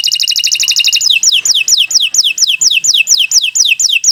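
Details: Atlantic canary pouring out gacor song for training other canaries: a very fast, even trill of high notes for a second, then a steady series of quick downward-swooping whistles repeated several times per second.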